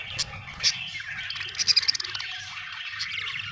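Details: Budgie chirping happily: sharp high clicks and squeaky notes over a soft continuous warble, with a quick burst of rapid clicking in the middle.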